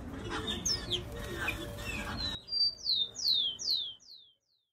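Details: Giant cowbird singing in the Amazon region of Brazil. After a stretch of mixed noise, five clear high whistles follow, each slurring steeply downward and spaced about half a second apart, then the sound stops.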